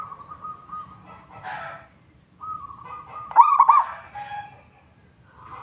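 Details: Indonesian local zebra dove singing: a long flat tone, a pause, then another level tone rising into a loud rolling, stuttered coo phrase, with softer cooing notes after it.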